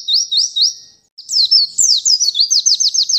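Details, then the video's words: A white-eye (pleci) sings a very high, thin twitter of quick slurred notes, three or four a second, pausing briefly before a faster, denser run. "Plecimu Bakalan Ikutan nembak ga pake LAMA"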